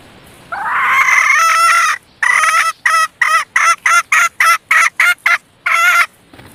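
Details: Red junglefowl hen used as a decoy to lure males: a drawn-out harmonic note rising slightly over a second, then a quick series of about a dozen short clipped notes with brief gaps, quiet background.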